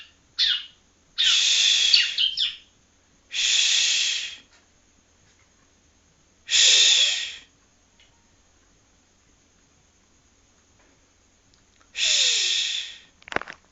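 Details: Young yellow-bellied prinia of Palembang practising song: harsh, buzzy bursts of about a second each, given irregularly with long silent gaps between them, plus a brief thin chirp at the start.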